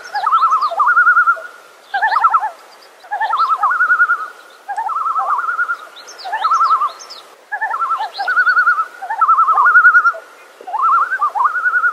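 Common loon giving wavering, quavering phrases about a second long, repeated every one to two seconds in a mid-pitched, laughing rhythm.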